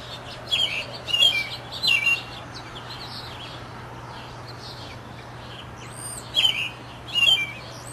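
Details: Thrush labelled as a USA bird, singing short bursts of high, clear, whistled and warbled notes in three quick phrases early on, then a pause and two more phrases near the end, over a steady low hum and background hiss.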